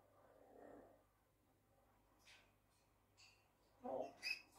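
A grey parrot gives a few short, scattered calls: soft murmuring sounds, then brief harsh squawks and a sharp whistled chirp near the end, in a quiet room.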